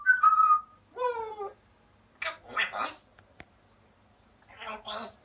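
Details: Male African grey parrot kept at home imitating "Always Look on the Bright Side of Life": a clear whistled note, a drawn-out falling sung tone, then several rough speech-like bursts with silences between.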